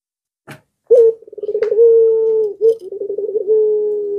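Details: Zebra dove in breeding condition, its song prompting nearby doves to join in: a stuttering run of quick rolling notes leading into a long, even, level coo with a brief break and a second rolling phrase.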